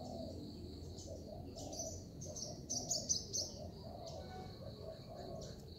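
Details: Zebra dove used to lure others into a trap coos in soft, quick repeated notes throughout, mixed with louder high twittering chirps from other birds and a steady background hum.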